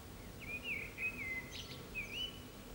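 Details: On an antenna in San Martín, Zamudio, Bizkaia, an April 2019 common blackbird sings mellow looping whistles, several smooth rising and falling notes in quick succession, a short scratchy burst in the middle, over quiet low hum.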